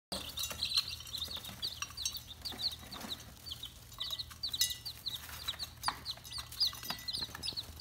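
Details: Red junglefowl chicks giving repeated thin high peeping calls, many short notes scattered throughout, over a steady background hiss and low hum.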